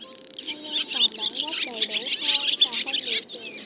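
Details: Black swallows with white bellies calling the flock to roost, a lure for net traps: a short, intense burst of high chittering from many birds over descending, curved lower whistles.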